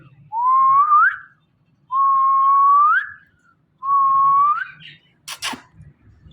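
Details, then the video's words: Rose-ringed parakeet, a talking ringneck parrot, giving three long rising whistles, each ending in an upward flick, followed by a brief click. "Ringneck Parrot Talking Natural Sounds"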